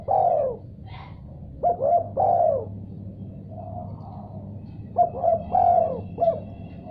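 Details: Spotted dove calling in response to a sound it has heard: a loud opening coo, then two phrases of three or four throaty, slightly downslurred coos, with a faint low background hum throughout.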